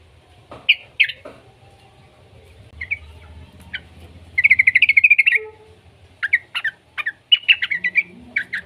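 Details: Young yellow-vented bulbul, used as a lure to get other bulbuls singing: short bright chirped notes in scattered bursts, a quick stuttering run midway, then clusters of bubbly notes, over a faint low hum.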